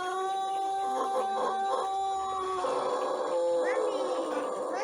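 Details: Morning crow of a young Pelung rooster that began learning to crow one month ago, kept on bran feed with an empty crop; a long, steady, tonal note with rich harmonics, slightly shifting pitch near the end.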